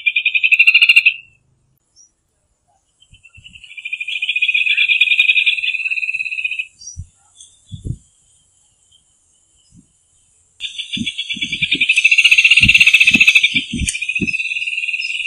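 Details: Rufous hornero song in bursts: rapid, buzzy trills of fast-repeated notes, separated by short silences, with scattered low knocks and thumps between the bursts.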